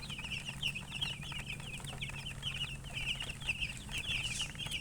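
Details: Several baby chicks peep without pause, their thin, high chirps overlapping in quick bursts with slight rising and falling inflections, while a faint low hum runs underneath.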